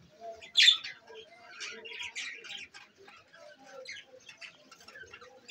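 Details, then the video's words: Budgerigars, called beautiful Australian birds, in Larkana, Sindh: a busy chatter of short chirps, warbles and squeaky notes, with one loud sharp squawk near the start. "Lunch burger budgies Parrot 🦜🦜 Bueatiful Australian Birds"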